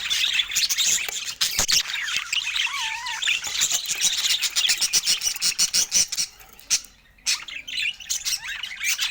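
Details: Budgerigars sharing fruit, giving a dense, continuous warbling chatter of high twittering notes with scattered sharp clicks and one clear wavering whistle early on, briefly dropping quieter near the end.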